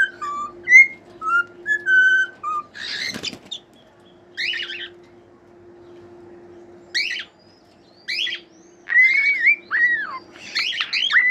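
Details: Pet cockatiel gives a few short whistled tune notes, then harsh, buzzy chirps and squeaky, warbling calls, some separated by quiet pauses, with a steady low hum throughout.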